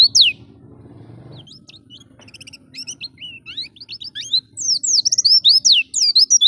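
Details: Oriental white-eye song for tutoring caged birds, ngalas style: sparse high chirps at first over a low hum, quickening into a rapid, loud cascade of sweeping notes toward the end.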